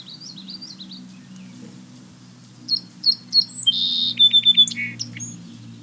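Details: Song sparrow heard outside a house in late February, an early sign of spring, sings a bright phrase of crisp whistled notes, a buzzy trill and quick repeated chips.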